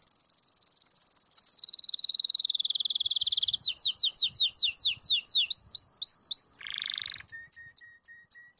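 A crested canary sings a long, rapid trill that drifts slightly lower, then changes into quick repeated swooping notes, a brief harsh burst, and crisp clipped chips.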